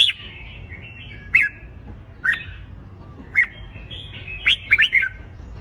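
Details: Red-whiskered bulbul competition fighting song used to train birds: loud sharp chirped phrases with bright downslurred notes every second or so, between faint warbling and light background noise.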